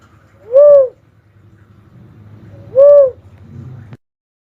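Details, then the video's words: Two mellow, arching whistled notes from a cuckoo-dove (uncal), a little over two seconds apart, with a low humming background noise between them that ends with a click. "suara burung uncal asli"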